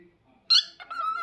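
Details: A pet cockatiel named Rio gives a sharp, harsh chirp, then a short run of notes settling into a steady mid-pitched whistle, indoors while someone nearby repeatedly coaxes it to say phrases like "what's your name" and "I love you".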